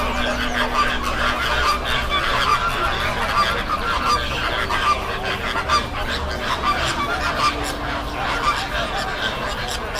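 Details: Greater flamingos gathered on a Bagalkot backwater: a steady chorus of nasal honking from many birds, calls overlapping throughout, with a faint low hum underneath.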